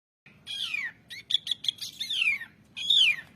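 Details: Asian pied starling song used as a training recording for songbirds: a descending slurred whistle, a burst of rapid bright chattering notes, then further falling and arching whistled phrases, with a faint low hum beneath.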